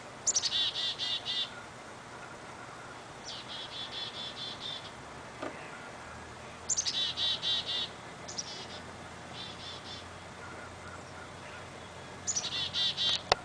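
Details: A noisy Black-capped Chickadee near a gray fox pup, dated 11-9-09, calls in quick bursts of high, buzzy notes repeated every few seconds.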